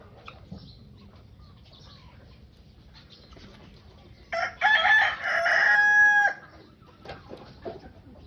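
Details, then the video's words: Rooster and hens under a tree at a family home; a loud drawn-out crow rises over quiet background clucking and low rustling noise. "Sounds of rosters and hens are playing under a tree at home with family."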